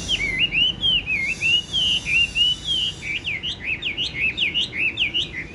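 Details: Chinese hwamei kept caged, described as about 90% tame, with yellow legs and bill: flowing whistled warbles, first smooth undulating slurs, then quicker looping notes repeated several times a second.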